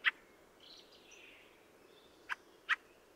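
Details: Fieldfare (Turdus pilaris) giving sharp, harsh chacking notes: one at the start and two close together near the end, with faint high warbling from other birds between them.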